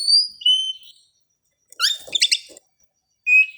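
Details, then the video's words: Oriental magpie-robin song at dawn: high clear whistled notes sliding down, a pause, then a rapid cluster of sharp chattering notes, another pause and one more steady whistle. "suara kacer di subuh hari"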